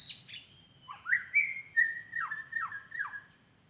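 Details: A wild white-rumped shama in forest: a loud varied phrase of whistles, a long falling whistle, a rising swoop, then three evenly spaced downslurred notes, set against a steady high insect buzz.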